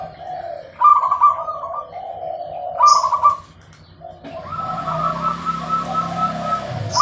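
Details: Zebra dove cooing clearly: two soft, mellow phrases of rolling coos, each opening with a brief sharp click, followed by a steady hissing background noise with a faint continuing tone.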